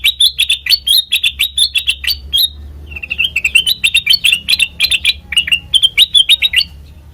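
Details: Sooty-headed bulbul, valued as a lure for training birds: continuous fast chirping in clustered bright notes, barely pausing, with a faint steady low hum throughout.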